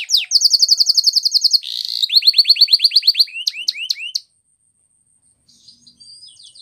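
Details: Canary training song, Spanish Timbrado style: a bright rapid metallic trill, a short buzz, a rolling series of falling notes, a few sharp whistles, then near silence.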